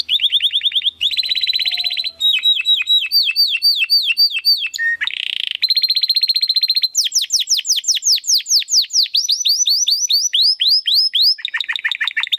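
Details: Domestic canary with a crystal-voice song recorded for tutoring contest birds: a long varied sequence of rapid trills, buzzy rattles, steady whistles and loud, high, sweeping slurred notes, changing phrase every second or two without pause.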